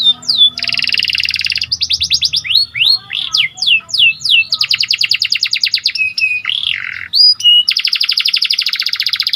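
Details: Panda canary singing in a bright, continuous flow, meant to excite listening canaries: high buzzy rolls, repeated downward-slurred whistles, quick chip series and sweeping notes, loud and clear with little background.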